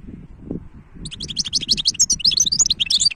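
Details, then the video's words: Goldfinch hybrid singing from about one second on: a fast, dense run of twittering, trilled and buzzy high notes, loudening toward the end, over low background rumble. "تغريد وابداع هجين الحسون ولا اروع"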